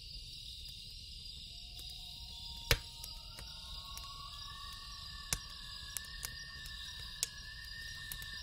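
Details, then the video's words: Loon calling at night: long, steady, clear tones rising in steps, each held for a second or more, over a constant high insect hum and sharp crackles and pops from a campfire. "Loon Call"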